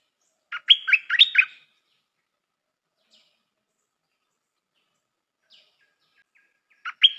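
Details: Caged decoy Stripe-throated bulbul, newly trained and praised for its phrasing, sings a rapid burst of five chirpy, liquid notes, falls silent for several seconds, then starts the phrase again at the end.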